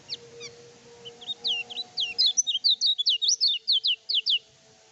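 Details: Lemon-bellied white-eye (kecial kuning), a trained bird's lively song used to provoke rival birds' emotion: after a faint start, a quick run of high whistled, slurred notes repeats rapidly, with a low steady hum underneath.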